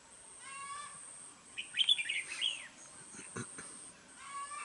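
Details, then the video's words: Harsh-voiced red-whiskered bulbul used for trap fighting gives a quick, slurred, bubbling phrase mid-clip, with fainter warbled notes from other birds before and after and a constant thin high-pitched whine throughout. "Bẫy đấu chào mào vip | nhậy đuôi xoè mềm , siêng mỏ giọng gắt"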